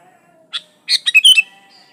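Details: Sooty-headed bulbul singing energetically, played to prompt other bulbuls to sing, no other birds' songs added: a single short chip, then a rapid burst of bright, gurgling whistled notes, with a faint steady tone behind.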